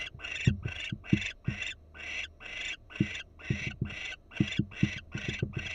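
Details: Female barn owl, Florida nest camera, alert posture: repeated breathy screeching rasps about twice a second, broad and hoarse, accompanied by scattered low tapping thumps.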